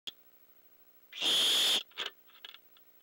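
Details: Owl, probably an adult male, gives a loud, harsh, breathy defensive hiss lasting under a second, then shorter, quieter hissing bursts, at night while owlets await prey; owlets add to the noise and a possible interloper is suspected.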